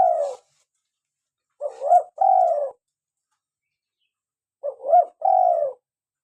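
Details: Spotted dove of local stock, used as a lure and to stimulate caged doves to call: a long falling coo, then two repeated phrases about three seconds apart, each a brief hooked rising note and a drawn-out, slightly descending coo.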